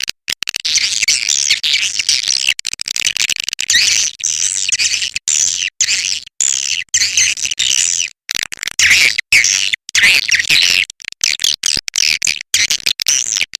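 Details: Swiftlet lure call for drawing birds to a nest house: continuous high, buzzy chattering and twittering from many birds, with brief pauses and a faint steady low hum.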